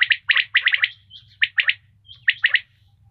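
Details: Common quail, tagged as a female quail sound, giving short, harsh, chirping notes in quick clusters of two to four, repeated about once a second, over a low steady hum.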